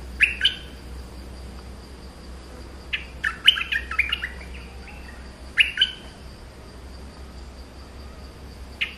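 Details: Streak-eared bulbul repeating short, lively warbled phrases of chirps and whistles several seconds apart, separated by near silence. A faint constant high tone and a low hum run throughout.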